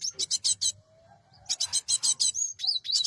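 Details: Cinereous tit used as a trapping lure, giving quick rasping high-pitched notes in two chattering runs separated by a brief pause, ending with sharp whistled upslurred notes.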